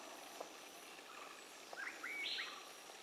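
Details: Bronzed drongo sallying under the canopy of the Western Ghats: a few short upslurred whistled notes, the last one louder and sweeping higher, over a steady hiss of forest background.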